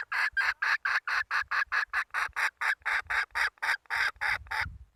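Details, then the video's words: Steady series of loud, harsh pulsed notes from a domestic hen, repeated about three times a second for five seconds. Faint low rumbling sits underneath. "Tiếng gà mái ,poj qaib seev zoo heev - puj qaib seev zoo cuab tuaj zoo heev"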